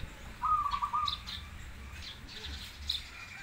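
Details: Zebra dove song in a match of a crossbred bird against a local one: one short, quick run of bubbling coo notes lasting under a second, with faint high chirps from other birds and low hum.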